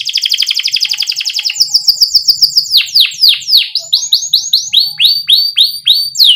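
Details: A canary sings a lure song for young canaries: a rapid rolling trill, then dense chattering and repeated falling, hooked whistles spaced evenly, clear and loud.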